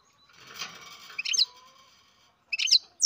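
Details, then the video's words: Young captive-bred European goldfinch: a soft rustle like flapping wings, then two short clusters of high, sharp twittering chirps about a second apart. "Καρδερίνα εκτροφής μωρό (Goldfinch carduelis baby"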